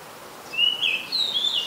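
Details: Oriental magpie-robin, Ubon Ratchathani, Thailand, July 2022: one short sweet phrase, a drawn-out whistle followed by a higher sliding note.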